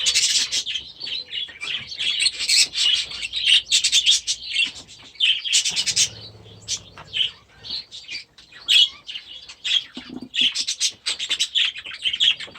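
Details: Grown budgerigar youngsters released into a new aviary at the start of the season, a flock chattering in high warbling chirps and squeaks with short pauses, calls overlapping throughout.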